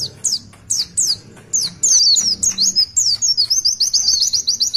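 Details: Oriental white-eye delivering its long 'tulitwitwit' song as a master bird: separate high downslurred whistles at first, then a quickening run of short twittering notes, bright and high-pitched.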